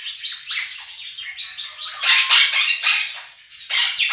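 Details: Pet Quaker parrots, two birds, shriek loudly against recorded budgerigar chirping and singing; dense rapid chatter swells into strong harsh bursts midway and again near the end.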